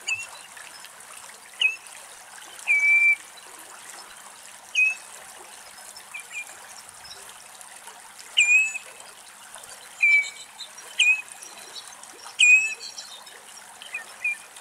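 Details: Common redshank in Greece singing clear, ringing whistled notes in short bursts, some downslurred, answered melodically by a second unseen redshank in a duet; a soft trickle of water runs underneath.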